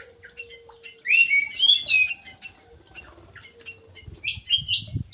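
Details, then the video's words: Aviary ground thrush, called punglor jali, in energetic song: after a quiet hum-filled start, a loud cascade of varied whistles and warbles, scattered chirps, and a closing rising whistled phrase with some low thumps. "PUNGLOR JALI GACOR"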